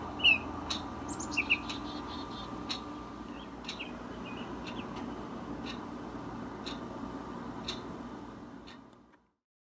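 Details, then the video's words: A resident male Baltimore oriole gives a few rich, flute-like whistled notes in the first two seconds on a windy day, then falls quiet; wind rumbles throughout with scattered clicks. Finding: Baltimore Oriole. "Oriole Oratorio"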